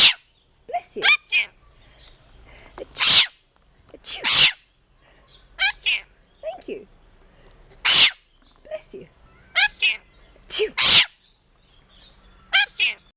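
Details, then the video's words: Pet red-collared lorikeet mimics sneezes, then says "bless you" and meows like a cat; sharp hissing bursts alternate with short chattering, speech-like phrases every second or two. "Bird says 'Bless You' after sneezing"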